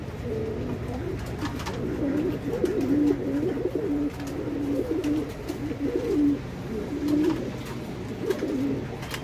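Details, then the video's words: Domestic fancy pigeons at a Bangladeshi pigeon farm cooing almost continuously, soft low rolling phrases running into one another from more than one bird, over a constant background murmur. "Mothers pigeon lover| Top fancy pigeon."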